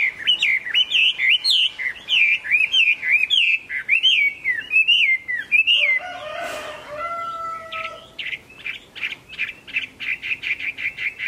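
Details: A Chinese hwamei sings in the late afternoon, 15 April 2024: loud, rich whistled phrases rising and falling, a brief harsh burst and a few level tones, then a rapid run of repeated bright notes.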